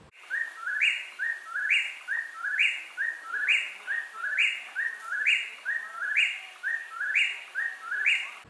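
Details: An Eastern Whip-poor-will, a nocturnal forest singer of the eastern United States, repeats its loud, whistled three-part 'whip-poor-will', about one phrase per second, each ending in a sharp upward snap.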